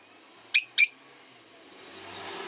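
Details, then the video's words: Caged rosy-faced lovebirds, five kept in a cage by a window: two sharp, shrill chirps in quick succession, followed by a swelling low wash of street or traffic noise. "Lovebird Chirping Sounds"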